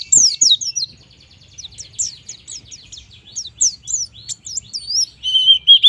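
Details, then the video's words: White-eye in vigorous 'gacor nembak' song, used to get young birds singing: a hurried run of short high notes that rise and fall, ending in a longer, steadier whistle. "suara pleci gacor nembak"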